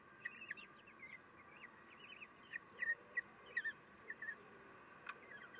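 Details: Common kestrels at the nest on 3 June 2021 at 9:12, the female feeding her chicks. Thin, wavering squealing calls come in short bursts, some rising and bending, scattered across a few seconds over a steady background hiss.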